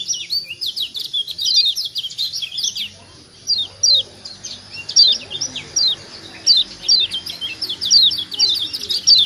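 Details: Chattering high chirps of the Lombok yellow white-eye (kecial kuning), played to prompt other white-eyes to call; steep descending notes come in irregular clusters roughly once a second, with a thin constant tone above.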